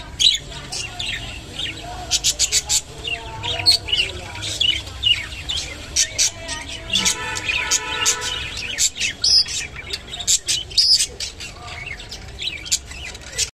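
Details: Rainbow budgerigar feeding on kolmi shak (water spinach), giving rapid high chirps and warbling squeaks in uneven bursts, with a short stretch of humming or tonal background sound midway.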